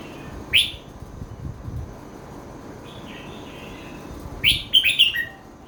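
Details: Red-whiskered bulbul in 'kuai chi hok' song style: a single sharp whistle, soft warbling notes, then a full phrase of rapid, ringing whistled notes ending on a lower drawn-out tone.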